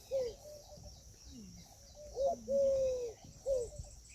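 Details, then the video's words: Peahen of the Indian peafowl uttering loud, clean, drawn-out tonal calls with short clipped notes around them, over a faint steady hiss. "Peahen bird the Indian peacock/most clear sound"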